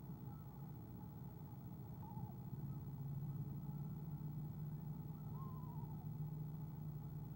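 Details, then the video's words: Eastern screech owl recorded by nest cam on 17 February 2015, trilling softly as its mate arrives: two short tremulous trills a few seconds apart, the second longer and gently descending, over low droning background. "ESO Athena soft trills Mr A comes 2 times"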